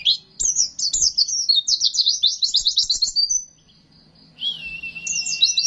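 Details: High-pitched Oriental white-eye song, a training and luring recording: fast tumbling twitters and rolling trills for several seconds, a short gap, then a flat whistle joined by further chirps.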